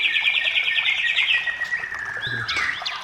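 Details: Vigorous white-rumped shama song used to draw other shamas into song: a fast rattling trill of repeated notes for about 1.5 seconds, then a sustained level whistle and a few sharp high chirps.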